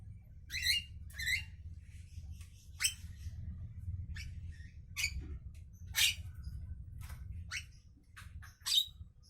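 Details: A Javan myna in the morning gives irregular raspy, squeaky notes, some paired and some alone, against a steady low rumbling background.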